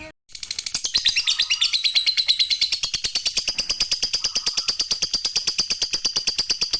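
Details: Lovebird calling, used to lure other lovebirds into calling: a long, steady run of shrill high chattering notes repeated about three times per second, with a few brief lower chirps mixed in.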